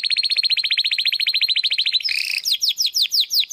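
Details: Belgian canary song used to train young and adult canaries: a fast rolled trill of uniform notes for two seconds, a brief buzzy note, then slower repeated downward-sweeping whistled notes about three per second.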